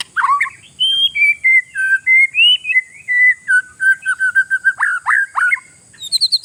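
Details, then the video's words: Oriental magpie-robin in vigorous song intended to provoke rivals: drawn-out level whistles stepping downward, then a burst of short rapid notes and sharp downslurs, closing with a thin high whistle. "GACOR 100%; SUARA INI BIKIN BURUNG LAWAN KELABAKAN"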